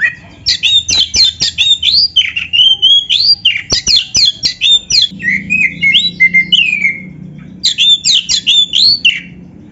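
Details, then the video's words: Energetic 'gacor isian' song from an Oriental magpie-robin, used to make listening birds respond. Fast sharp notes alternate with sweeping whistled slurs in almost unbroken rapid bursts, with faint low background hum. "PANCINGAN KACER GACOR ISIAN"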